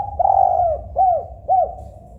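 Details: Spotted dove (tekukur) cooing: three soft, hollow coos near mid-low pitch, a longer first note followed by two short downward-curving ones, over a faint low hum.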